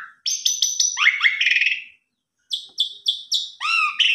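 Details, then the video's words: Lively Asian pied starling song meant to trigger singing in other starlings: rapid runs of sharp stacked high notes sliding downward, a brief pause, then clipped repeated notes and a rising whistle, the whole recording clean and free of other sounds. "Pancingan Jalak Suren Gacor"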